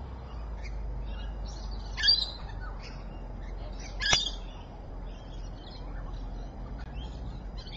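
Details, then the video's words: Rainbow lorikeets at Evans Head on 26 May 2012: two loud, harsh, broadband screeches about two seconds apart over soft, scattered high chattering and steady low background rumble. "Rainbow Lorikeet"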